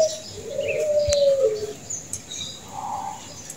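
Zebra dove cooing a soft, mellow, drawn-out note, then a shorter purring coo; faint high chirps of small birds behind.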